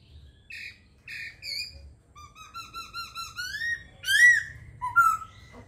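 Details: Laughingthrush song that opens with two short separated notes, then builds into a rapid rising series of clear whistles that climbs to loud, sweeping, ringing notes. A faint low hum runs underneath.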